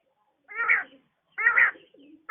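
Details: Female quail calling in the morning: two loud, buzzy, harmonic bursts about a second apart, each under half a second, with a softer low note between, in a quiet setting.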